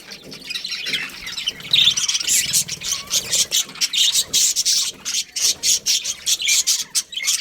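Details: Budgerigar breeding colony in full chatter, rapid high rasping chirps and squawks pulsing in quick bursts several times a second, continuous throughout.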